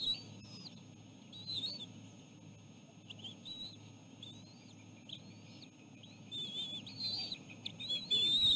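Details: Osprey nest with chicks and parents sharing a small fish; soft, scattered high whistled notes, growing louder toward the end, over a persistent low hum.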